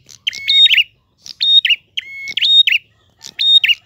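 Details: Gacor ngalun singing from a prinia with a clean voice: four brisk phrases, each a level whistle rising to a high held note and ending in a fluttering downward trill, separated by short silences.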